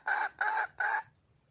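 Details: Female red junglefowl calling for a mate: three loud, harsh, nasal squawks, each about a fifth of a second long and evenly spaced, then silence.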